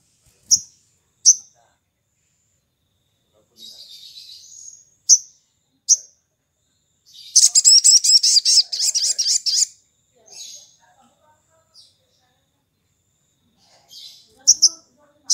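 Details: Sogon (sooty-headed bulbul) morning lure song, played to set other birds singing: scattered sharp high chips, then a long fast run of buzzy, very high pulses lasting about two seconds, followed by more isolated chips.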